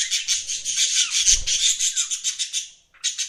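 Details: Fast, rhythmic high chirping from pet budgerigars, pulsing several times a second, breaks off briefly and resumes, with a faint low bump midway.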